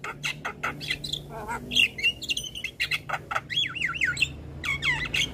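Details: Javan myna used as a song tutor for young mynas: rasping squawks mixed with clear wavering whistles that swoop up and down, with short gaps between phrases and faint low hum.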